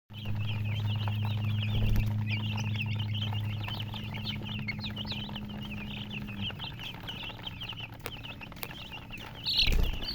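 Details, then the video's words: Chicken chicks peeping as a flock: dense, overlapping high chirps, each a quick rising-falling note, pouring out almost without pause, over a steady low hum that stops two-thirds of the way through. "silly chicken chirping sounds"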